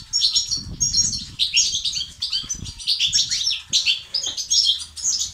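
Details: Male goldfinch twittering song, betbeta and sestasat styles used to activate males: sharp, high, sparkling notes in quick runs and brief trills, pausing now and then, with faint low thumps.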